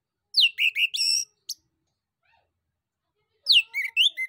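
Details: Male orange-headed thrush, a Southeast Asian forest songbird, singing to provoke other birds to answer: two bursts of varied whistled and scratchy phrases, falling slurs and quick trills, separated by a pause of about two seconds.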